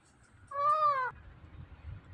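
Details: Pet Indian ringneck parrot gives a single drawn-out, nasal meow-like call lasting about half a second, pitch arching gently, then quiet room noise.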